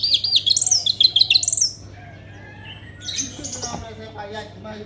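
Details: Orange-headed thrush song from Kubutambahan, Singaraja, Bali, used as a lure to get other birds singing. It opens with a quick run of bright, high, warbled notes, then a pause, then softer mixed chirps and a faint low hum.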